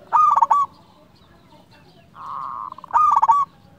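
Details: Local zebra dove, a vigorous singer used as a lure to make other doves answer: two cooing phrases of quick stuttered notes followed by a long rolling coo, with a steady hum in the background.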